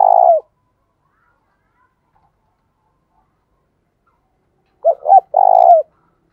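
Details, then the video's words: Decoy spotted dove cooing to stir wild doves into calling quickly: one low burred phrase, two short hooting notes and a longer purring note falling at its end, following a clipped earlier coo and long silence. "Chim Cu Mồi, tieng cu gay kich boi nhanh noi gù"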